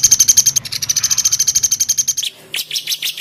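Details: White-rumped shama (murai batu) master song with dense 'tembakan' rapid-fire phrasing for training birds: a fast, even string of high sharp notes, about seven per second, ending in a few scratchy bursts.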